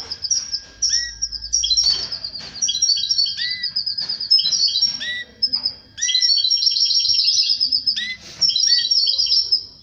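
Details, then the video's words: Canary singing while mating with its female: a continuous high warbling song of rapid rolling trills, with repeated lower downslurred whistles recurring every second or so. "تزاوج طائر الكناري مع أنثاه بعد سماعه هده البتبته"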